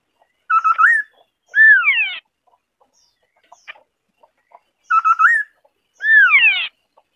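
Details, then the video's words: A White-browed Scimitar-Babbler (Pomatorhinus schisticeps) sings a two-part phrase twice, about four seconds apart: quick stuttered mellow whistles rising, then a longer slurred whistle falling away. "White-browed Scimitar-Babbler (Pomatorhinus schisticeps) singing"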